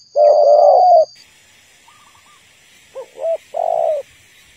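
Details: Female spotted dove, a cage bird used as a trap lure, calling to rouse males: a long husky coo near 600, then a faint short phrase and a two-note coo followed by a drawn-out coo, with a steady high hiss.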